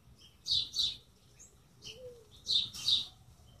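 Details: Chirping birds giving loud high double chirps, two pairs about two seconds apart, with a soft lower whistled note in between over a quiet low rumble.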